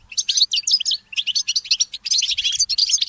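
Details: Goldfinch hybrid (mule) in early morning, delivering a continuous stream of loud, liquid twittering notes and quick trills with barely any pause.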